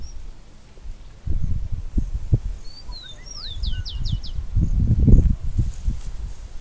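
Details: A bird singing outdoors in nature gives a short burst of high whistles. A rising slur leads into a rapid string of falling notes near the middle, with faint lower chirps below. Heavy low wind-like noise dominates.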